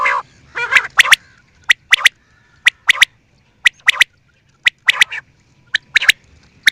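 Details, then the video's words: Quail calling: two harsh, nasal squawks open the sequence, then sharp doubled clicking notes repeat about every second against a quiet background. "New and nice sound of quail"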